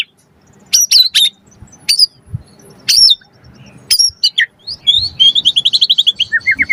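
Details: White-rumped shama song meant to provoke other shamas and tutor birds: widely spaced sharp high notes, then a rapid descending trill of short whistles and a few lower slurred notes.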